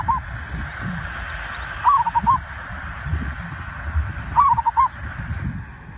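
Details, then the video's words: Zebra dove song used as a lure to get other birds singing: soft cooing phrases, each a rising hooked note followed by three quick clipped coos, about two and a half seconds apart over a low rumbling background. "perkutut raja pikat cocok untuk memancing burung cepat bunyi"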